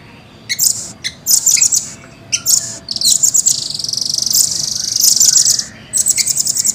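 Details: Velvet-fronted nuthatch kept in a cage, delivering high sharp chips that run into a long, dense, rolling trill, then a quicker ticking series.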